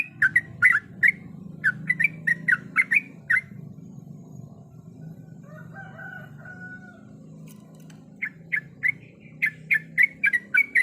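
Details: Female yellow-vented bulbul in breeding condition calling the male; short bubbling, gurgled notes repeat in quick bursts, stopping for several seconds before starting again over a low steady hum.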